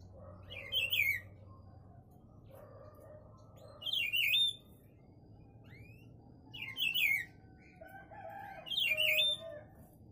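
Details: Buffy-fronted seedeater (papa-pimenta) singing short, harsh warbled phrases that twist downward, about four phrases spaced roughly every two to three seconds, over a steady low hum and faint background chirps.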